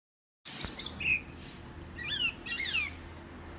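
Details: Common myna giving a few short, clear whistled notes, some sliding downward, followed by slurred, rising and falling whistles, over a steady low hum.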